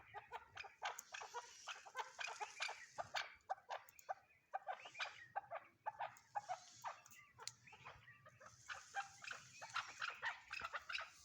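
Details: Chukar partridge calling in dense bursts of rapid, harsh clucking notes that come in waves with short pauses, over a faint hiss in the background.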